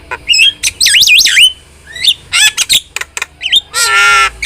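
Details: Energetic starling song mixing wavering looping whistles, quick chirps and harsh buzzy squawks, ending in a long rasping note.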